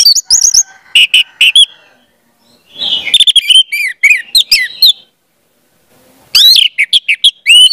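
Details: Lure song of an Orange-headed thrush for training young spotted birds: three bright bursts of rapid whistles, buzzy chips and downslurred notes, each phrase about a second or two long, with short silences between.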